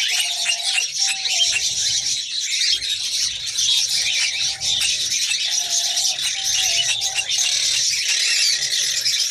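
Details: Female kakariki, or red-crowned parakeet, ready to mate: steady high-pitched scratchy chatter with repeated short low whistled tones every second or two.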